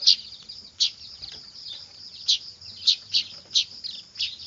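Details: Lure recording of noisy weaver chicks: a few loud, sharp high chirps spaced irregularly, some in quick pairs, over a soft, steady high twitter from more chicks.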